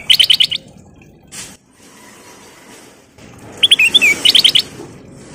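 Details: Sooty-headed bulbul in full song, used as a lure: short bursts of quick, bright chirps at the start and again after a quiet stretch, a few slurred notes mixed in, over soft background hiss.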